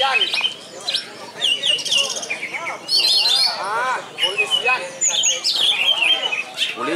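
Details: Yellow-headed greater green leafbird at a singing contest, bursting with varied whistled phrases, rising and falling sweeps and rapid chattering notes, while people talk and clap nearby.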